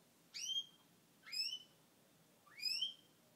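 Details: Male Gloucester canary, a pet, vocalizing after his moulting period: three bright upslurred chirps, each sweeping sharply upward with a ringing overtone, spaced about a second apart against quiet room background.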